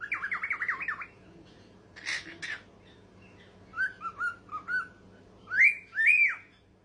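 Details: Cockatiel (Nymphicus hollandicus), song.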